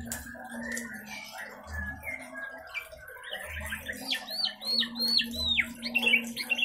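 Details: White-rumped shama (murai) that escaped from a home breeding cage. After a faint, quiet start, a burst of clear, rapidly varied whistled phrases with sharp downward-sweeping notes fills the second half, over a steady low hum and soft thumps.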